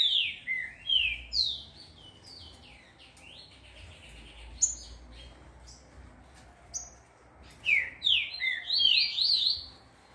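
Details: Caged green-winged saltator in training at a breeder, delivering bright slurred whistles in two bursts separated by a quieter gap with scattered high chips; low hum underneath.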